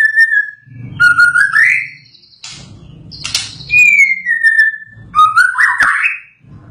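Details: White-rumped shama after its moult sings sweet whistled phrases, rising slurs and a long falling whistle, with a brief harsh burst between phrases and a soft low hum throughout.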